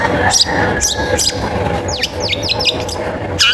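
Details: Long-tailed shrike in full, lively song, offered as a lure to prompt other shrikes to sing; a run of sharp, repeated downward-sweeping whistles mid-clip, with scratchy chatter before and after, over steady low background hum.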